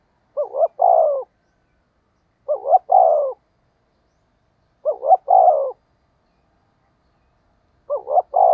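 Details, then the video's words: Decoy coo of a spotted dove meant to lure wild doves. Four identical phrases roll out about every two and a half seconds, each a short wobbly two-part lead-in followed by a drawn-out, downward-sliding hoot, with clean silence between. "tiếng chim cu gáy thúc gù hay nhạy bổi, bổi nghe rất xiêng gáy"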